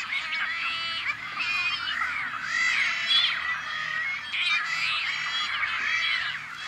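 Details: Nesting colony of rare Tricolored Blackbirds on a Central Valley farm in California, May 2012. Many birds call at once, giving a loud wall of buzzy, wheezy, arching notes and scratchy squawks with no pauses.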